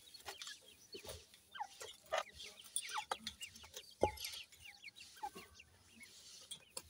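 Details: Grey francolin chicks at feeding time, uttering thin rising cheeps and short chirps, several overlapping, with scattered clicks and taps.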